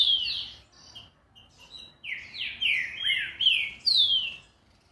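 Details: Green-winged saltator delivering a speedy phrase of bright, overlapping whistles, each sliding down in pitch, building in loudness toward the end before stopping.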